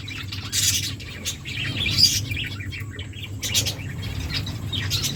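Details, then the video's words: Aviary finches chirping in a busy mix of quick high tweets and short twitters, with brief rustling bursts that may be fluttering wings, all over a constant low background hum. "Finches singing birds chirping sounds"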